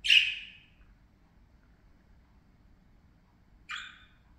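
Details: Playing parakeets give one loud, scratchy squawk that trails off. After more than three seconds of quiet, a second, harsher call follows.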